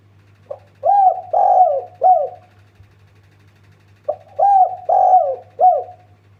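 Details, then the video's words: Spotted dove cooing as a lure meant to set other birds calling: two bouts of three to four hoarse, low coos, the middle ones drawn out, separated by about two seconds of quiet over a steady low hum. "Pancingan ampuh manuk tekukur derkuku deruk NGGUK 1 bikin semua burung ikutan gacor"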